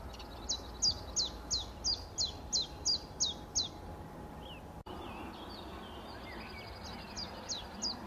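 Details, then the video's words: Common chiffchaff (Phylloscopus collybita) singing a steady string of high, sharp chiff-chaff notes, about three per second; after a short break, softer high calls from other birds continue over a low hum. "Tsjif tsjaf"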